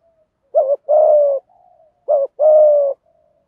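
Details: Spotted dove, 'thúc gù' coo in the 'giọng thổ' voice, meant to stimulate training birds: two identical phrases of a short wavering note and a longer level hollow coo, faint soft cooing between them.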